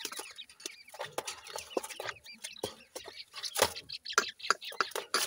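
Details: Black francolin chicks fighting inside a house, giving dense overlapping chirps and peeps mixed with sharp scratchy clicks and thumps, louder toward the end.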